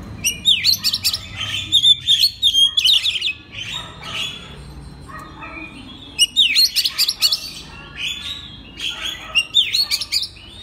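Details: Oriental magpie-robin singing as a master recording meant to set other magpie-robins singing morning, noon and night: two long bursts of sharp whistles, rising and falling notes and dense chirps, separated by a quieter stretch of softer twittering.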